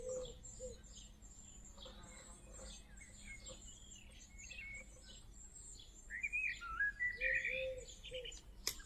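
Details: Young great tits calling from a nest box while being fed, evening garden. Quiet high chirps and a thin high whine at first, then a louder run of twittering chirps near the end, other birds faint behind.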